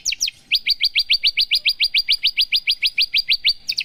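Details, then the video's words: A Javan bush lark, 'paksi aji' line, repeats one high, rising chirp about three or four times per second in an even run, framed by brief double notes at start and end. "Kicau branjangan mr koko ( paksi aji ) sangat ajib"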